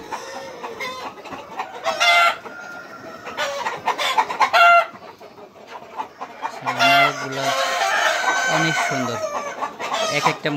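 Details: Super hybrid laying hens in a poultry farm where every nest box is full of eggs; several loud harmonic squawking cackles around two, four and seven seconds, with lower clucks and general farm bustle between.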